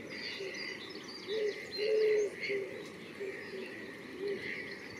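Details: Greylag goose at the Botanical Garden, Myślęcinek, Bydgoszcz, Poland, on 2 April 2023, giving a few nasal honks, one drawn out near the middle and a shorter one later, over a steady murmur with faint chirps of other birds.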